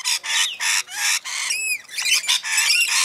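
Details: Rainbow lorikeets in a feeding frenzy at Mount Tamborine, Queensland, Australia: loud harsh broadband screeches in dense bursts, some with rising and falling whistled tones, packed closely with brief gaps.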